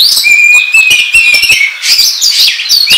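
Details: Lure recording of an Oriental magpie-robin in ngobra style: a steady, slightly rising whistle carried under rapid clicking chirps, then a loud jumble of high scratchy notes.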